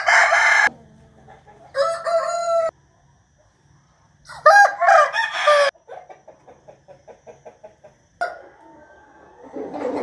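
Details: Several roosters crowing in the morning on 8 April 2021: loud harmonic crows overlap and alternate, separated by near silence, with a run of short rhythmic clucks in between.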